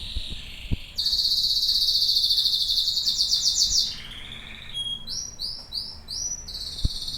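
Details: Domestic canary in full song: a loud, dense high trill rolls for nearly three seconds, drops to a lower buzzy roll, then gives bubbly repeated looping notes and a final high trill, with faint clicks in the room.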